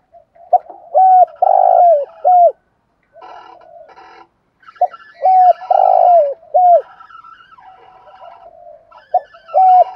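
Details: Decoy spotted dove calling to rouse wild birds, giving its coo phrase twice: short notes, one long mellow coo and a clipped ending, with faint murmuring coos in the gaps.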